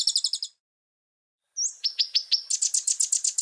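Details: Common iora in busy training song: a short rapid trill, a pause, then an upslurred note, a series of downward-sweeping notes and a fast buzzy run.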